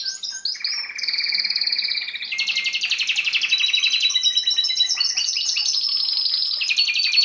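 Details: Belgian canary in full song to stimulate chicks in breeding season, 2016; high whistled and rolled trills change tone every second or two, running as fast pulsed phrases without a break.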